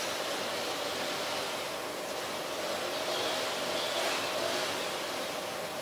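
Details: Continuous engine-like rumble and hiss with a steady low hum, and no animal voices heard.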